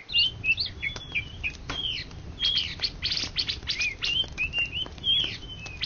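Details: Greater green leafbird, an Indonesian first-place champion of 2013–2014, pouring out a continuous medley of clear whistled notes mixed with sharp clicks and quick slurred phrases.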